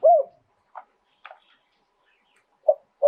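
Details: Thai spotted dove, or nok khao yai, recorded live. Single deep coos open and close, with faint soft notes in the quiet gap between them.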